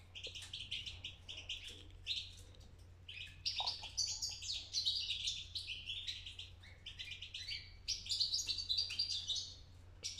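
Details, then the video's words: Fledgling European goldfinch starting to sing, pouring out fast, varied high twittering and chirping phrases almost without pause, with a steady low hum in the background. "بداية تغريد فرخ الحسون"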